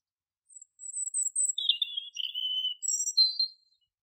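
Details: Woodland canary singing: after a brief high note come thin, very high whistles, a lower buzzy trill sliding down, and a final bright whistled phrase.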